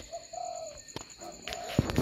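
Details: Spotted doves cooing at night at a dove farm in Binh Duong, Vietnam: two short low hollow coos, then a few fainter ones, cut off by knocking and rattling sounds at the end.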